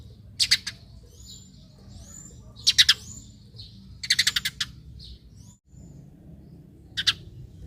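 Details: Eurasian tree sparrow calls meant to draw other sparrows into calling: loud harsh chirps in clusters of two to five, the longest a rapid run of five, with faint thin whistles between.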